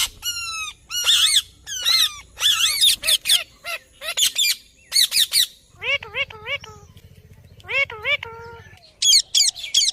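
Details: Ringneck parrot squawking: a fast series of harsh, high, arched screeches, then groups of lower wavering nasal notes over a faint steady low hum.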